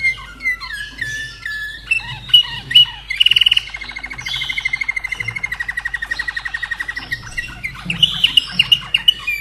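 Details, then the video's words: Singing Slavujar canary from Austria, hatched 2011: varied whistles and chirps, then a long, even, machine-gun trill of repeated notes lasting several seconds, closing with high whistled notes. "Mein Slavujar Singt ein kleines Lied"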